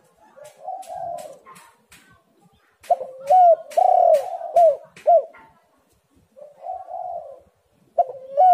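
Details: Spotted dove cooing, used as a lure to get doves calling. Soft rolling coos build into loud, emphatic hooting notes, then a quieter coo follows, with a run of sharp clicking sounds at the start.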